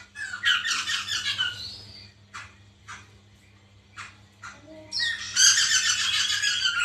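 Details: White-crested laughingthrush, played as a lure to prompt a caged bird to sing: loud, harsh, noisy chattering bursts open and close the passage, with sparse sharp notes between and a steady low electrical hum throughout.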